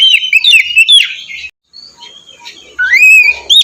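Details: Oriental magpie-robin morning song for prompting a lazy bird to sing: a run of sweet slurred whistles, a short silence, then a long rising whistle followed by more notes.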